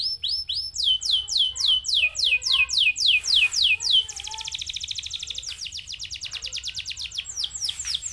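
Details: Canary song for prompting other canaries to sing, opening with steady descending whistled sweeps at a quick even pace, then switching to a fast, thin, rattling trill that runs to the end.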